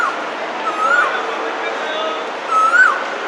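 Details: A male Asian koel calling for a mate in spring in busy urban Hong Kong gives two rising whistled notes about two seconds apart, each swelling upward at the end, over steady city background noise.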